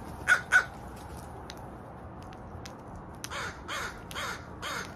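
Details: Two loud, close crow caws at the start, then a pause and a run of fainter, drawn-out caws from further away.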